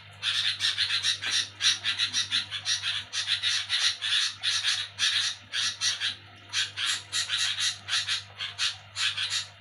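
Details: At night, a sooty-headed bulbul makes a noisy, scolding chatter: dense runs of rough, buzzy notes in quick succession, broken by short gaps, with a constant low hum underneath.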